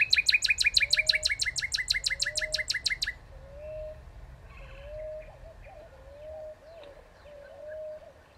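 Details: Northern cardinal delivering a fast, even series of about twenty short downslurred chips over three seconds. Another bird then repeats a soft, low rising whistle about every second in the background.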